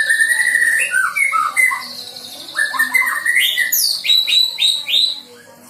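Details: White-rumped shama fledgling, newly out of juvenile plumage, learning its song: varied clear whistles slur down and up, then a quick burst of high rising notes repeated several times before fading.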